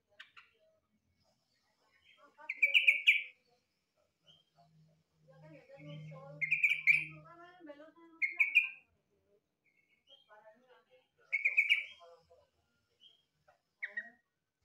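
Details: Trucukan, the yellow-vented bulbul, singing in a way compared to a green leafbird: several loud, rich, bubbling warbled phrases, each about a second long and separated by pauses, with softer chattering notes and a low hum midway.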